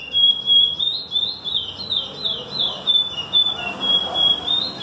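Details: Chestnut-bellied seed finch singing a loud, continuous run of high, clear whistled phrases, sliding up and down and repeated rapidly, over a steady low background rumble.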